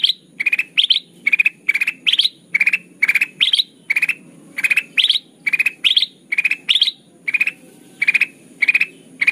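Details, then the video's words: Kutilang emas, or ruby-throated bulbul, singing energetically as a bird-trapping lure. A long unbroken stream of clipped four-note rattles comes about twice a second, with lower and higher bursts alternating irregularly and a faint steady high tone behind. "Suara pikat kutilang emas gacor"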